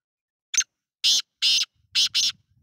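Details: Black francolin calling: a short harsh note, then two grating, rasping notes, a brief pause and a final pair of notes, all loud and clear against a silent background.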